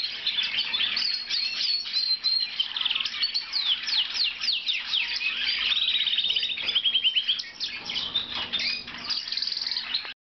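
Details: A blue lizard canary, listed as a Belgian canary, sings a fast, high warbling song of chirps, trills and rolling notes, running almost continuously with brief pauses.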